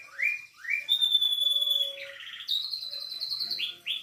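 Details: Isian-style canary song carrying cililin, katem, sogon and sikatan londo material: two rising chirps, then a long steady piercing whistle, a rattling trill, a high sustained tone and two final upward slurs, clean and loud.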